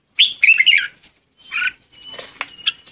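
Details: Red-whiskered bulbul calling the flock: a quick run of warbled, whistled notes near the start, a shorter burst after a pause, then softer chatter with a thin steady tone behind.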